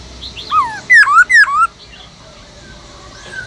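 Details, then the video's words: Caged Black-throated laughingthrush singing in its wild-voice style (giọng rừng): a soft whistle, then three loud clear whistled notes that drop and then slide upward, each with a quick sharp downstroke, over faint background hiss. "Khướu bạc má kích trống căng lửa HÓT GIỌNG RỪNG"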